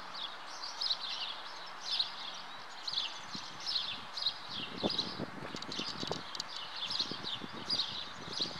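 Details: Common house martins (Delichon urbicum) at their nest give rhythmic, high, scratchy chirping calls throughout, with a patch of low tapping and rustling noise in the second half.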